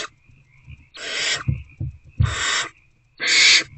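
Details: Owlets begging in a nest box at 8:13 pm, 26 February 2024, hungry and struggling to eat a rodent; three rasping, breathy hisses with low thumps and scuffling between them.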